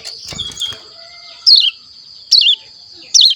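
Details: A young caged Hill Prinia, about a month old, learning to sing, gives three short, high, downslurred chirps spaced under a second apart. Faint rustling and softer whistles come before them.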